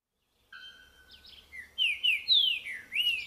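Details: Green-winged saltator (Saltator similis) singing in courtship: rich, clear whistles, a few steady held notes, then four loud slurred phrases swooping up and down, over a faint low hum.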